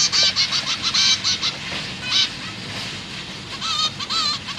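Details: Zebra finch young begging as their parents feed them in a cage, September 2023. Loud nasal notes in quick irregular strings, a quieter lull midway, then renewed beeping.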